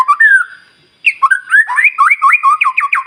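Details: Morning song of a white-rumped shama used to spur other birds into song: a brief whistle, a pause, then quick repeated rising-and-falling whistled notes.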